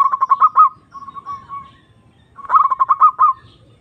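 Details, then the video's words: Zebra dove (perkutut), a lure recording to call a rival and stir a quiet or stressed bird into singing: two bursts of rapid, rolling coos around one pitch, each ending in a slurred note, with a softer trill between. "Pancingan Perkutut Memanggil Lawan Manjur Langsung Nyaut"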